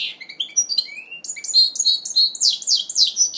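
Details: Song of a goldfinch mule during its first moult in 2012: thin whistled notes at first, building into rapid liquid twittering and chattering phrases.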